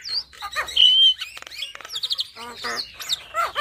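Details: Black-winged starling song in full isian style for training caged starlings: short burst of varied chatter with one long steady whistle, buzzy rasps and quick sliding notes.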